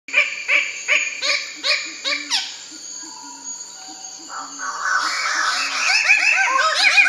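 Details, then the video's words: Bird-of-paradise giving a quick run of nasal, cackling notes about three per second, then several birds' overlapping, arching chirps over a faint steady high whine. "birds of paradise chirping very beautiful"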